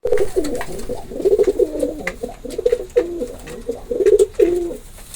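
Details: Pigeons cooing indoors: low, throaty, warbling coos overlapping almost continuously, several rolling phrases in quick succession with short bubbling trills and faint background knocks.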